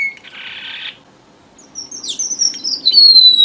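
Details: Lure song from a red avadavat: a buzzy wheeze, a short silence, then rapid high twittering that rolls into a long descending whistle.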